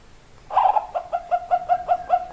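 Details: Zebra dove singing, with a short burst of notes followed by a fast, even series of soft cooing notes repeated about five times a second.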